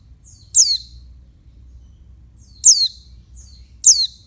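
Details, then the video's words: Oriental white-eye female calling to stimulate males: three shrill, high, thin notes falling in pitch, each preceded by a quieter short note, the last two about a second apart, over a faint low hum. "Suara burung pleci betina untuk ngecas jantan"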